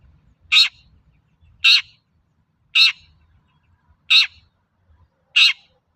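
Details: Long-tailed shrike calling as a lure to prompt other shrikes to sing: five short, scratchy, grating notes evenly spaced about every 1.2 seconds over a quiet background.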